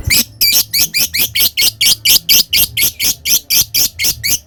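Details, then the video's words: Lovebird in full ngekek, the long chatter valued by keepers and said to provoke rival birds: harsh, buzzy high notes repeated steadily about four times a second without a break. "Suara Love bird Bikin Emosi Lawan ngetik lanjut ngekek"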